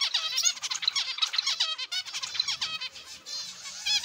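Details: Zebra finches calling in an aviary: bursts of nasal, harmonically rich beeping notes, closely spaced and overlapping, in uneven pulses.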